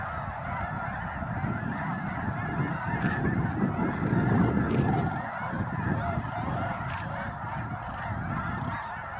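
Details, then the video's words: Snow geese calling at Bosque del Apache NWR in December 2009, sunrise or sunset. Dense honking flock over a strong low rumble that builds toward the middle, plus a few sharp knocks. "Snow Geese Sunset and Sunrise"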